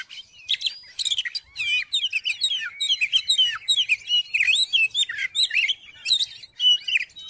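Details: Lively Oriental magpie-robin song used to provoke another magpie-robin into singing: a continuous fast stream of sweet whistles, slurred upward and downward notes and scratchy chips, barely pausing throughout.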